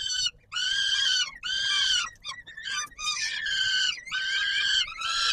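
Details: Peregrine falcon at feeding time on the Palace of Culture and Science, Warsaw, 17 July 2022: strained, piercing cries run together, with a choppy broken stretch in the middle before steady wailing resumes.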